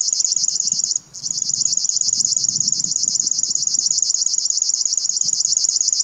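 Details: River warbler at RSPB Ham Wall on 15 June 2021 singing a dry, insect-like buzzing of high, rapid pulses, steady and mechanical with one brief break, over faint low background rumble.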